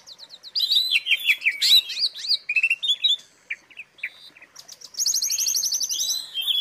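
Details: Asian pied starling (jalak suren) singing filler phrases for song training: a tumbling series of twisting whistles and buzzes, short separate notes after a brief gap, then a long fast trill of repeated high chips near the end.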